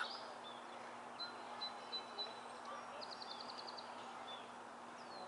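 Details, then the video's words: Green-backed adult Lesser Goldfinch, recorded 25 May 2013, giving thin high notes, a quick twittering burst and a plaintive falling whistle, faint over a steady background hum. "Lesser Goldfinch (green-backed adult)"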